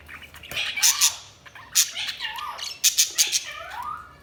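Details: Budgies chirp in a busy stream: sharp clicking squawks mixed with short rising warbled notes, repeated several times.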